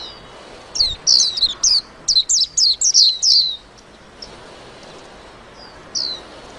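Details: White-eye singing a lively twittering burst: a quick run of high, thin, downward-slurred chirps packed into about three seconds, then a pause broken by a few isolated single notes.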